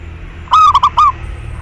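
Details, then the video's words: Zebra dove song used as a lure to make other doves call: one phrase of four hollow, rolling coos, a longer first note then three quick ones, against a faint low background hum. "Perkutut Lokal GACOR Pancingan Tercepat Buat Nyaut Bunyi"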